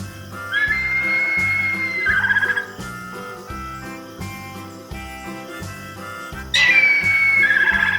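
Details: Harpy eagle giving two long, high whistled wails, each holding a steady pitch before breaking into a wavering trill, the second call louder, over continuous rhythmic background music.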